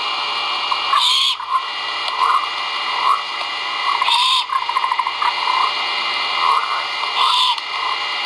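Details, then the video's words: Great horned owl chicks vocalizing during feeding at a Skidaway Audubon nest camera, 1.04.2022; three hoarse screeches about three seconds apart, interspersed with soft twittering chatter and steady hiss. "FOOD. CHICKS VOCAL ) LIVE CAMERA GREAT HORNED OWLS NEST."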